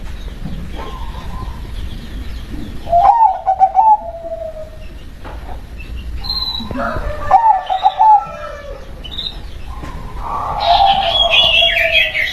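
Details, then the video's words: Local zebra dove, or perkutut, cooing in repeated phrases about every four seconds. Each phrase has quick stuttering coo notes followed by a drawn-out lower tone. Background hiss and faint rustling are heard. "SUARA PERKUTUT LOKAL BERKODAM"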